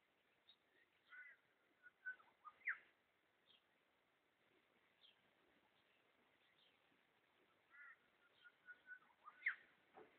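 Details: Possibly a Red wattlebird, recorded 21 September 2012, giving harsh, raspy calls in scattered bursts, clustered early and again near the end, over a quiet background.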